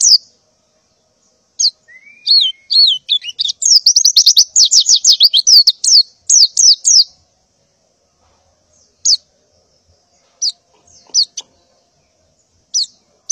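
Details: Morning calling of a breeding-condition female white-eye seeking a male: a short rising whistle, then a dense burst of rapid high chirps and trills, followed by scattered single sharp notes.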